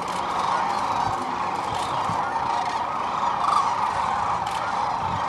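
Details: A dense chorus of sandhill cranes resting and feeding on the Platte River in central Nebraska during their spring northward migration; many rolling, rattling bugles overlap into a steady mid-pitched roar with no breaks.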